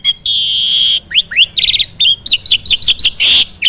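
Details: Starling on a farm in full song with fill-ins: a long steady high whistle, rising slurs, a buzzy trill, choppy repeated chirps and a loud harsh burst.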